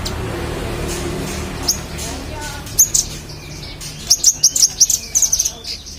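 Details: Magpie-robin in full song, used as tutor audio for training contest songbirds: scattered high thin chips, then a fast run of sharp repeated chirps near the end over a low steady hum.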